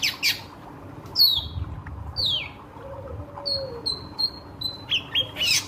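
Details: Ashy drongo lure song meant to provoke surrounding birds: scattered high down-slurred whistles, then a row of short flat whistled notes repeated about every third of a second, with a constant low background hum.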